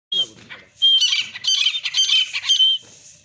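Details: Grey francolin (desi teetar), male and female, calling. High, clear whistled notes mix with loud, harsh squealing bursts in a rapid run of about two seconds.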